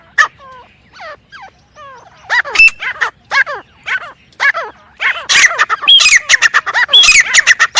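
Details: Grey francolin calling, starting with soft, falling notes that grow into loud, harsh, rapidly repeated calls with shrill accents in the final seconds.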